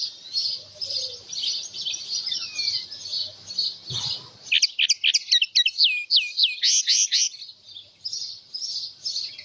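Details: House finch song amid a constant high buzzing background: after a brief thump, a burst of rapid slurred chirps and curling whistled notes, then the hiss-like buzz returns.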